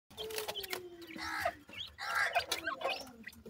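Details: Francolin chicks, known locally as dakhni teetar, calling while playing: short high chirps and upward-flicking peeps scattered over a low, slowly falling tone, with rustling and handling noise in between.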